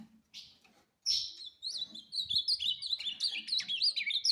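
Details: Competition-trained ultramarine grosbeak in 'fibra' song style: after a few isolated chirps, one quick, continuous warble of high, rising and falling whistled notes that runs without a break to the end.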